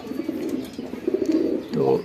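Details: Home-kept pigeons during pairing: a continuous low murmuring coo that swells toward the end into a louder, rolling, throaty phrase, with faint knocks and room noise behind.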